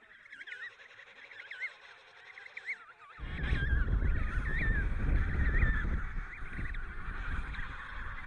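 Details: Emperor penguin chick in Antarctica giving rapid, warbling whistles that waver up and down in quick runs, with strong wind roaring in from midway.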